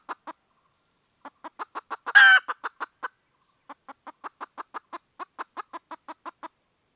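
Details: Hen red junglefowl calling for a rooster: clipped clucks in several runs, interrupted early by one sharp, loud raspy squawk, then steady repeated clucks to the end.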